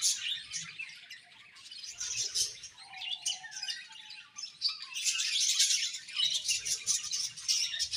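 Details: Many budgies in a colony chatter and chirp, high scratchy warbles and quick tweets overlapping, easing off mid-way then building back to a lively dense chorus.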